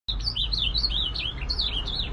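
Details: Ultramarine grosbeak singing a fast, run-on warble of clear whistled notes, rising and falling slurs strung together without pause, over a low steady hum.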